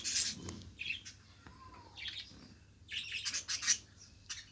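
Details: Pet budgerigar chattering with sharp chirps, a thin descending whistle, and dense bursts of scratchy notes. One loud squeak stands out near the end.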